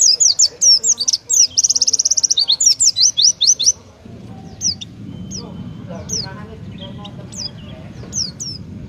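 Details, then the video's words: Oriental white-eye singing the 'tembakan' style favoured by judges: four seconds of rapid shrill trilled notes, then scattered single high whistles over a louder low rumbling background. "Burung pleci gacor, tembakan paling di sukai para juri❗oriental white-eye/gacor pleci bird"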